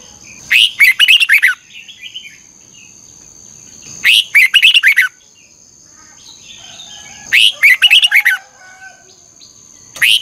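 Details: Red-whiskered bulbul, sung as a lure for training birds, giving lively 'hót ché' phrases with a double-twisted voice. Three clustered bursts of clear, twisting whistles arrive about every three and a half seconds, with softer chatter between.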